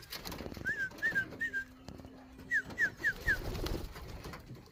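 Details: Young racing pigeons give thin, high, down-slurred squeaking calls, three then four in quick succession, over a low steady hum and faint room noise.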